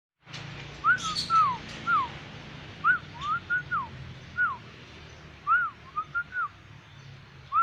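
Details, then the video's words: Black-winged myna singing vigorously: clear whistled notes, each arching up then down, given singly or in quick pairs and triplets with short pauses, over a low steady background hum. "Burung Jalak Putih gacor"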